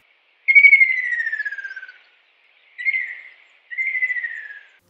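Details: Ruddy kingfisher song of heavily forested areas, described as mournful whistles: three clear whistles, the first long and slowly falling, then two shorter descending notes, with a quiet background.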